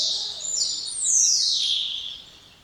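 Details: High whistle from a spotless starling, followed by a long, loud downslurred whistle falling steadily in pitch and then trailing off softly.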